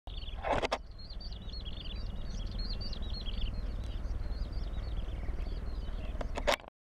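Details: A Yellow-bellied prinia in Hong Kong gives a fast, steady run of thin, high chirping notes, several each second, over a constant low rumble of traffic.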